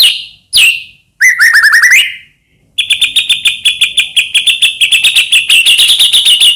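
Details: White-rumped shama song, meant to make other shamas sing: sharp downslurred notes, a rapid rising trill, then a long fast series of repeated buzzy chattering notes.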